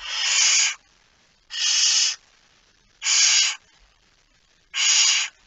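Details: A barn owl holding a mouse at 01:49 on 17 September 2019 gives four drawn-out rasping hisses, each near three-quarters of a second long, spaced about one and a half seconds apart, over a quiet background.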